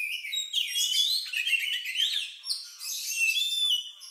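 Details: Oriental magpie-robin song, said to be odd-sounding and similar to a lovebird's, meant to provoke other birds into singing: dense, fast run of high whistles, chirps and slurred notes, almost continuous.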